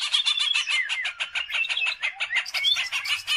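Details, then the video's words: Greater green leafbird in energetic song, used as a lure to train other birds: rapid, dense stream of short chattering notes with quick slurred whistles, pulsing several times a second without pause. "CUCAK IJO GACOR || COCOK BUAT PANCINGAN"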